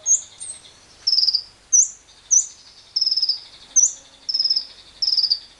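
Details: A lovebird recorded live with wild birds, as a lure to prompt long ngekek song, gives shrill, high chirps and short, buzzy chattering trills in bursts, roughly one to two each second, with faint background hiss.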